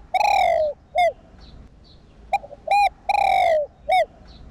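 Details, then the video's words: Spotted dove cooing to excite decoy birds: a long coo dipping at the end, a short rounded note, a pause, then two quick notes, another long falling coo and a final short hoot. "Cu gáy kích bổi"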